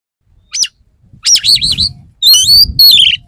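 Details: Male Oriental magpie-robin courting a female: loud, rich whistled song in short bursts, a lone high note, then warbling rising-and-falling whistles and a descending final phrase, over a faint low rumble.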